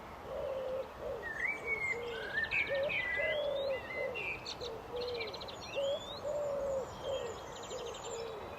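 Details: Fluting blackbird phrases with upward-sweeping whistles and scratchy trilled endings, repeated in bursts, accompanied by low rhythmic hooting coos roughly every second.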